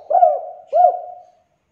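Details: Two mellow, low coos from a spotted dove, a call used to coax reluctant doves into calling; each note swells then fades with a slight downward bend, the second trailing off into silence.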